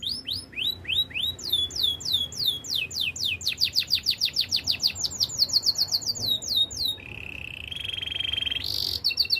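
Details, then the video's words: Training song of a Belgian canary: sweeping whistled notes speed up into rapid, rattling trills, then give way to a flat sustained roll and a short high closing burst. "Canary training song - Belgian canary singing"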